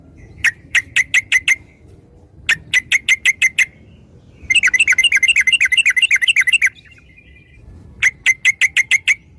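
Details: Sooty-headed bulbul lure song meant to get other birds singing: short bursts of five or six clipped chirps, then a longer fast chattering run of rapid notes lasting about two seconds, then another chirp burst.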